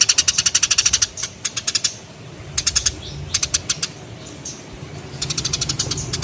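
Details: A sparrow's chattering, made of fast runs of dry, high chirps. It starts with a long burst, then breaks into shorter clusters and pauses before a final rapid run. A soft low rumble sits underneath.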